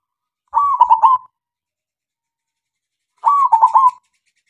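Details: Local zebra dove (perkutut), a keen singer used to coax other doves into song. It gives two rolling coo phrases about two and a half seconds apart, each a held note followed by rapid stuttered pulses and a sustained close. The background is silent.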